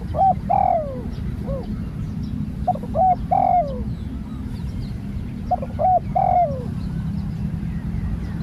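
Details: A Spotted dove in training as a new bird repeats its cooing phrase three times, about every three seconds. Each phrase has two or three short notes and then a longer hoarse coo that trails downward, over a low steady rumble.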